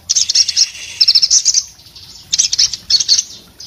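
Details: Two bursts of fast, high, sputtering twitter from an orange-headed thrush in breeding condition, split by a quieter gap of about a second.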